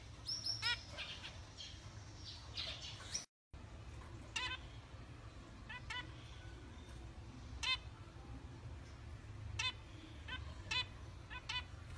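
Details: Zebra finches, a pair of European-imported gold birds, give short, nasal, toy-trumpet calls repeated in small bursts over a low hum.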